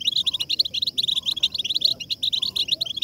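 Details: Several European goldfinches singing together in a group 'betbeta' song meant to stimulate a female goldfinch: dense, continuous bright twittering with rapid tinkling and buzzy notes tumbling over one another without pause, with a faint low background hum.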